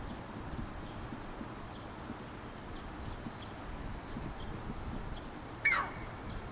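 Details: Striated heron giving a single harsh, downward-sliding call with rich overtones near the end, after several seconds of steady low background rumble with faint distant chirps.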